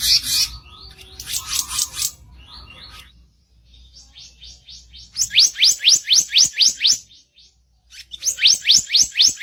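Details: Bird song recorded for masteran training with harsh chirping: buzzy bursts and faint twitters, then a fast series of rising chirps about four per second, a pause, and another run of rising chirps.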